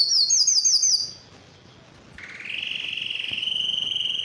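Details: Singing yellow canary: a quick series of high sliding whistled notes, a brief pause, then a steady low rolling trill with faint high overtones.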